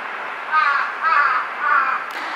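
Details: Jungle crow on an electric wire, varying its voice among four call types: three drawn-out, husky caws evenly spaced roughly every 0.6 seconds over a constant background hum.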